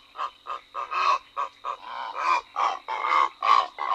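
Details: Purple Heron recorded in the Ebro Delta Natural Park, Tarragona, Spain, in June 2011, giving harsh, hoarse croaks in an uneven run of about three per second, some notes short and clipped, others drawn out and rasping.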